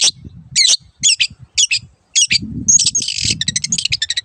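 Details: Long-tailed shrike, a master recording for training caged birds that have stopped singing or changed owners: harsh, buzzy chattering bursts in quick groups, ending in a rapid run of short notes, over a low rumbling background.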